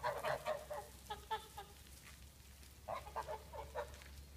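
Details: Several geese in a yard honking: a dense burst of nasal calls at the start, a sparser run after, then a brief pause before another cluster, all over a steady low mechanical hum.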